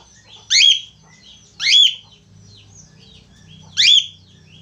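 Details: Vocal budgerigar repeating a short, harsh, rasping squawk three times at uneven gaps, over quiet high chirping and a low background hum.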